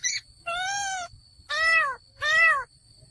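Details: Male laughingthrush calling with three harsh, drawn-out nasal notes, each arched and rich in overtones, spaced roughly a second apart.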